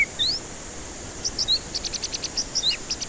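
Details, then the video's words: White-rumped shama lure song for stressed, non-singing birds. Upslurred whistles open the phrase, then a hurried rattle of short high notes with scattered rising whistles woven through. "Pancingan murai batu ampuh cocok untuk pancingan murai batu stres malas bunyi"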